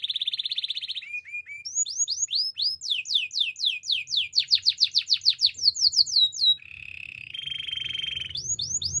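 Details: Belgian canary in morning song: a buzzy high roll, long runs of quick falling whistled notes, then lower rattling rolls over faint background rumble, and a final burst of whistles.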